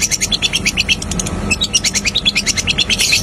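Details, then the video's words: Long-tailed shrike singing a "tembakan" song burst from East Java: a fast, even run of sharp high chirped notes, roughly three per second, repeated steadily throughout, over a faint low hum. "tembakan pentet istimewa"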